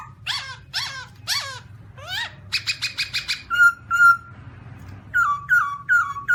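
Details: Black-throated laughingthrush calling while dancing, recorded 2017: three harsh, downslurred, rich notes, then a quick run of short stacked notes, then clear level whistles repeated about twice a second, over a steady low hum.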